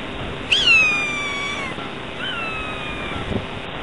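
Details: Endemic Galapagos hawk on the Galapagos Islands at the time of raising chicks, giving a sharp, harmonic scream that falls slowly in pitch, then a weaker, flatter repeat about a second and a half later, with steady hiss behind.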